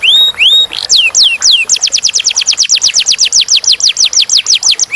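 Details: Clear-toned canary song opening with a few drawn-out rising and falling whistles, followed by a steady run of sharp downslurred notes repeated about three to four times a second.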